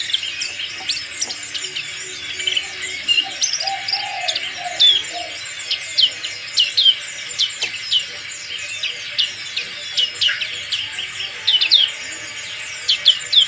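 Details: Black-capped white-eye singing with its crest standing up, a fighter bird: scattered sharp high chips and brief twittering phrases over a steady background hiss, with faint lower sounds nearby.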